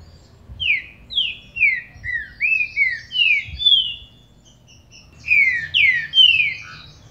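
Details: Green-winged saltator song played to stimulate a captive bird: loud, clear whistled notes, each sliding downward, in a quick run of about eight, a short pause, then another rapid burst of descending whistles, with faint low rumbling beneath.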